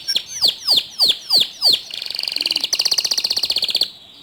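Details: Canary singing to set other canaries singing: five loud, drawn-out downslurred whistles about three per second, then two rapid buzzy trills that stop abruptly.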